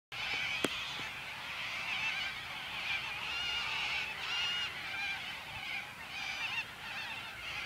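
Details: A flock of corellas at Warwick in May 2013, calling before eating crops, screeches without pause, many harsh, grating squawks overlapping into a steady high-pitched din.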